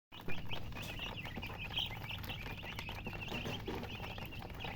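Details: Coloured baby chickens, poultry chicks, chirping because they are thirsty for drinking water: a dense, continuous chorus of high, short peeps from many chicks overlapping throughout, over a steady low hum.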